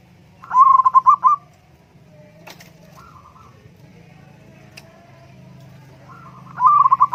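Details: Perkutut, the zebra dove, heard in a recording used to prompt a lazy caged dove to sing: a fast, stammering string of soft ringing coos, then near-silence with a faint echoing coo, then the phrase repeats.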